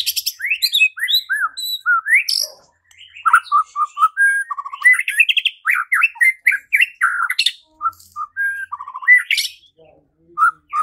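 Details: White-rumped shama song, played to provoke rival shamas into singing and fighting: a long, varied medley of looping whistles, short chips and mimicry-like phrases, tapering into sparse notes near the end.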